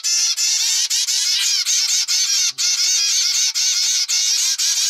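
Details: Young zebra finch of normal grey colour, raised at home by pied parents, pleading for food in an unusual fashion. Dense, nearly continuous harsh buzzing in about ten long bursts, rough and wavering, with only brief breaks.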